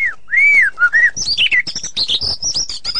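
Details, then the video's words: White-rumped shama song in the ngeplong and ngeroll style: rich arched whistles open the phrase, followed by fast, high, tightly packed rolling notes. "Murai ngeplong dan ngeroll super rapet"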